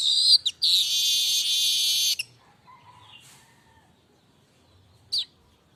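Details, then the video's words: Streaked weaver singing continuously, unedited: two sharp high notes open into a long, loud buzzy wheezing rasp lasting about one and a half seconds, followed by faint soft twittering notes and one brief high squeak. "Kicau burung_manyar gacor tanpa henti"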